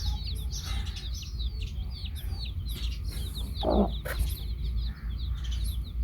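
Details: Baby chicks beside a hen peep in rapid high, descending chirps throughout; one loud, rough clucking note stands out near the fourth second, against a steady low rumble.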